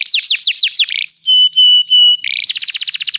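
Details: Canary song from a recording meant to train other canaries: rapid descending sweeps, then steady clear whistled tones held about a second, ending in a fast buzzy trill.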